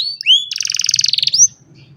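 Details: An old canary singing on a sunny morning, recorded on a cellphone; rising whistled slides lead into a fast, even buzzy trill, closing with a bright upward whistle, faint low hum behind.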